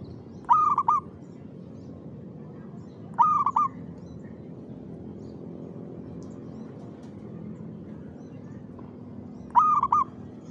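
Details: Perkutut, the zebra dove, in rhythmic afternoon song around 5 pm: three short cooing phrases at irregular gaps of roughly three to six seconds, each a burst of clipped coos trailing into longer notes, with a constant low hum behind.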